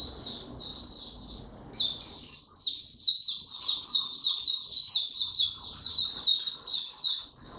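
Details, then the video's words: Oriental white-eye singing on 25 January 2022 after sleeping late the night before: after a quiet start, a rapid, continuous run of high, sweet, chattering warbled notes tumbles on without pause for about six seconds. "Mata Puteh Hercules V2 buka tiong aw sing"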